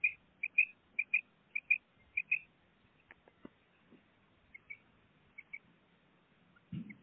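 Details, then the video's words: Pet female common quail, caged, gives a run of short paired chirping notes, high and clipped, about two per second for two and a half seconds. A pause with faint knocks follows, then a few softer paired notes and a low thump at the end. "Female quail sound // madi batair ki awaz // batair karkaree | My pet common quail singing"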